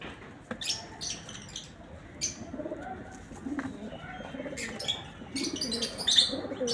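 A pigeon gives soft, low, rolling coos in short repeated phrases, mixed with sharp rustling and flapping sounds.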